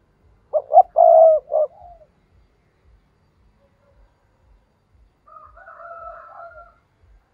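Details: Spotted dove used as a decoy to draw wild doves, giving one loud phrase of short coos, a long burry croon and a final note. A fainter, higher dove-like call sounds later in the quiet.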